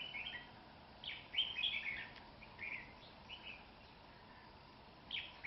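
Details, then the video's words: Fierce red-whiskered bulbul fighting a rival during trapping, cold windy day early in the cold season; short sharp warbling bursts, clustered loudest around the first two seconds, then scattered chirps and a final phrase, faint hiss throughout. "Bẫy Đấu CHÀO MÀO. Cực nhanh .Cực gấu. cầu cánh mỏ đấu xòe"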